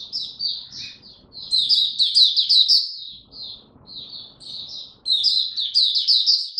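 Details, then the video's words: Oriental white-eye (Mata Puteh), a hobby bird in song display, recorded 26 November 2022: rapid, high twittering chatter of jumbled short notes, two bursts broken by a brief pause, faint low indoor rumble underneath. "Mata Puteh Buka Sing Raja"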